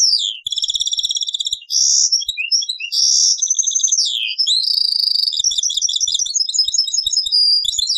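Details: Old cassette recording of a European goldfinch in taqsrayin song style: a continuous, varied outpouring of sweeping slurred whistles, buzzy notes and fast tinkling trills, rising and falling without pause.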